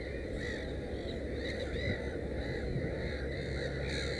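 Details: Black-headed gull at a nest with three chicks gives harsh, nasal, drawn-out cries that run almost without pause, with heavy low rumbling wind or background noise throughout.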